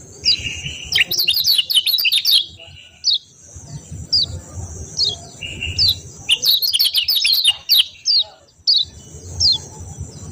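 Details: Kecial kuning white-eye in contest-style song: dense bursts of quick, high, sliding chirps and twitters come in bouts, separated by short pauses. A thin constant high tone and soft low noise run underneath.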